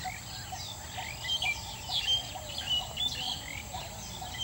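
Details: Coppersmith barbet calling from the top of a lead tree on the evening of Sunday 31 August 2014: low, hollow tuk notes repeated steadily about twice a second, under louder high chirps and whistles from other birds.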